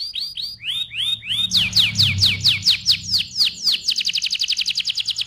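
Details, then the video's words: AF canary in full song, loud and rolling: curved chirping notes repeated steadily, quickening into sharper sweeps, then closing in a rapid, even, high trill. A faint low rumble is heard briefly. "KENARI AF GACOR, NGEROL VOLUME KERAS"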